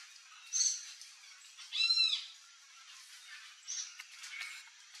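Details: Wild red-and-green macaw feeding on a ripe mango in Brazil gives harsh, raspy squawks, four short bursts in five seconds, the strongest in the middle, over a quiet background.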